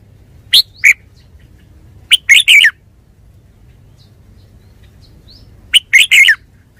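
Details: Red-whiskered bulbul giving repeated short song phrases: a pair of sharp chirps, then two quick warbled bursts of three notes each, separated by about three seconds of near silence.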